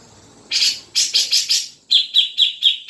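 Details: Grey-cheeked bulbul (cucak jenggot) song, played to prompt a caged bird to sing: four loud harsh chattering bursts, then a steady series of sharp bright whistled notes repeated about every quarter second.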